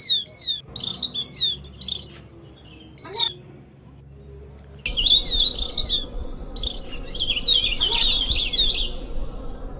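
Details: Javan grey-throated white-eye lure recording: bursts of high, thin chirping notes clustered in quick phrases with short pauses, over faint background hiss.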